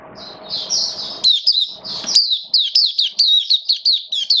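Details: Hobby-kept Oriental white-eye in rainy-season form singing a long busy sequence of sharp high slurred notes, rising flicks and falling twitters packed closely together, steady and loud, with a faint background hum early on.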